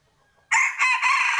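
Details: Rooster crowing loudly after a moment of quiet: a harsh, strained call with a strong harmonic band, broken into a few pulses that carry on to the end.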